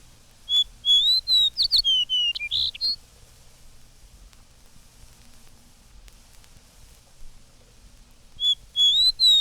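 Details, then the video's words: In spring, a late fox sparrow that should already be on its Canadian nesting grounds sings a rich, ringing whistled phrase of slurred notes rising and falling over about two seconds, then starts again near the end. "But now, for our special benefit, a late fox sparrow breaks forth with its ringing whistle, apparently asking an embarrassing question."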